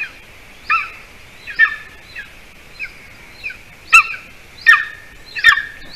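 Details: Golden eagle nest, Latvia, 06-12-20, late-evening prey delivery by the adult male: soft, spaced, down-slurred chirps grow into louder, sharper calls every second or so, with light background hiss.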